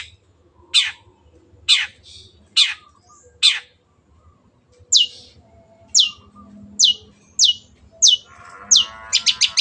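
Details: Long-tailed shrike (cendet) in spirited song: sharp, clipped, downward-sweeping notes spaced about a second apart, which then quicken into a rapid burst of ticking notes with a short harsh rattle.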